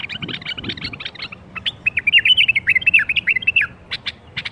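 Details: Bulbul song meant to start other bulbuls singing: a quick string of warbled notes rising and falling, followed by several short sharp chips, some low knocks at the start.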